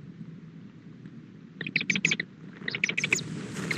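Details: Nesting female owl calling to the male as a chick hatches, afternoon of 2-5-13; two rapid runs of short, scratchy chirps, five or six per burst, over a constant low mechanical hum.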